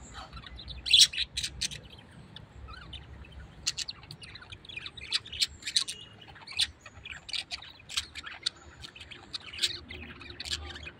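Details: Pet parrot, described as very tame, chattering with a steady run of brief high chirps and clicks spread across the whole stretch, at irregular intervals, with no other clear sounds.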